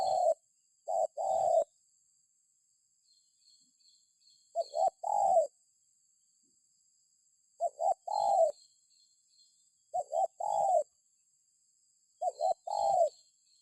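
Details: Spotted dove cooing as a lure for other birds. Repeated mellow phrases every two to three seconds, each a pair of short notes then a longer slurred coo that drops slightly at the end.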